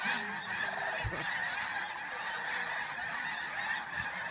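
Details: A large flock of geese takes flight at dawn on 10 November 2013 at Bosque del Apache, San Antonio, New Mexico, leaving sandhill cranes behind: a constant clamor of overlapping nasal honks and yelps with no pause.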